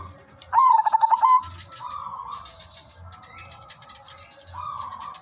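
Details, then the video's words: Zebra dove, silver udanmas, singing melodiously as a lure for catching birds: a single rapid rippling coo phrase, then two soft humming notes, with faint low thumps and a continuous high-pitched hiss. "burung perkutut/merbok silver udanmas gacor manggung irama merdu pancingan dan pikat"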